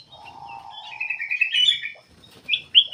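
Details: Black-capped bulbul song meant for luring other birds into song: a sustained low whistle runs under rising, rolling chatter, then a short gap before sharp, high, upslurred notes.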